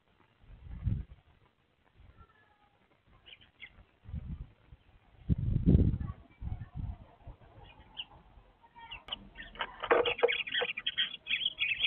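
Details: Eurasian tree sparrows at a nest box around 11 am on 27 December: a female nesting there and a bird on the roof, probably her mate, call back and forth. Short, bright chirps build into dense, rapid chatter over low thumps and wing flutters.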